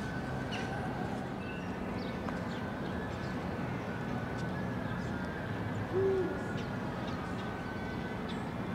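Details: Eurasian eagle-owl recorded on 16 February 2023: one short, deep hoot that rises slightly and falls, set against steady rumbling background noise with faint higher ticks.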